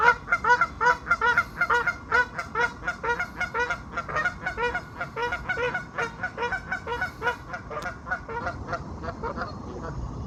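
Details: Goose couples on a lake honk loudly and repeatedly, harsh nasal calls about twice a second, several birds overlapping, before the calling eases off near the end and they simply swim.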